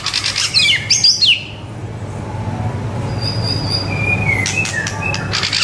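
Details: White-rumped shama song meant as a tutor for young birds: loud swooping, slurred notes open the phrase, then a quiet gap, a thin sustained whistle and a final burst of sharp high notes, with low background rumble.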